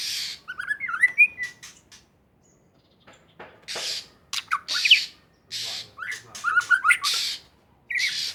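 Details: White-rumped shama of Aceh origin, noted as wild, singing actively: twisting whistled phrases interleaved with raspy, hissing notes, a brief quiet spell, then fast bursts of harsh notes and trills.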